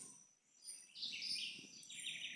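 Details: In Brazil's Atlantic Forest on a rural smallholding, a house wren sings a fast, bubbling jumble of high, scratchy notes and rapid trills that grows louder through the second half, with faint outdoor hiss behind.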